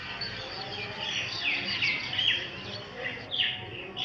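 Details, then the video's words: Common myna giving a run of high, scratchy chirps and short whistled notes, several per second, over a steady hiss of background noise. "Myna Sound // Myna Bird Sound // Common Myna Sound"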